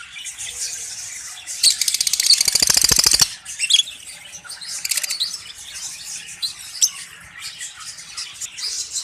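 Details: Budgerigars in cages in Pakistan during summer; a burst of rapid wing flapping lasting over a second rises above ongoing high twittering and squeaky chatter from the flock.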